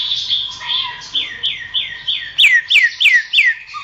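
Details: Greater green leafbird song for training songbirds: a series of short whistled notes repeated about three times a second, turning into louder, sharply downslurred whistles near the end.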